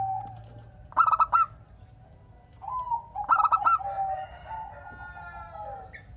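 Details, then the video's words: Singing local zebra dove, used to draw answering songs from other doves: two rapid bursts of staccato cooing notes, followed by softer, lower, overlapping drawn-out notes. "Perkutut Lokal Gacor Untuk pancingan kutut perkutut agar saling bunyi BERSAUTAN"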